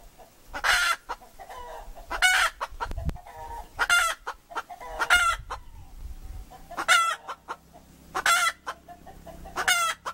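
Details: Domestic hen giving a run of about seven loud, raspy, ringing squawks roughly every one and a half seconds, with quick low clucks between them and faint low rumble underneath.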